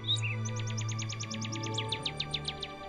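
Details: Northern Cardinal in Ontario, Canada, singing a fast series of about twenty clear, downslurred whistles, roughly seven a second, over a low musical hum.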